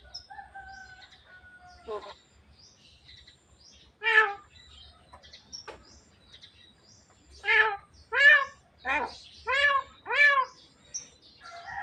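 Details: Javan myna talking until it coughs: a thin whistle, then a series of loud nasal, harmonic syllables repeated roughly every half second, like garbled speech.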